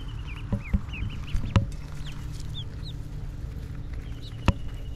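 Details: Ducklings eating grass: short high peeps sliding upward and downward, a few in a row early then sparser, mixed with sharp pecking clicks and a steady low hum underneath.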